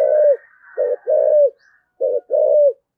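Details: Spotted dove, 'thổ sấm' voice with rapid coos: deep two-part coos, a short note and a drawn-out falling one, repeated twice after an opening coo, over a faint high chirp of another bird.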